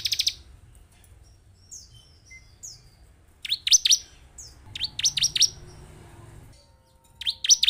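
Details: Bar-winged prinia song played as a lure to excite a caged bird and make a reluctant singer start calling: short bursts of three to four sharp, high, downward-sweeping chirps separated by quiet pauses, with faint softer twitters between.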